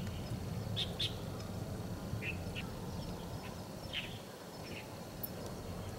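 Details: Two Rufous-capped babblers weaving through bush in Metropolitan Park, Taichung City, Taiwan, 13 November 2021, give brief, high chirps at an irregular pace, some paired, over a steady low background rumble.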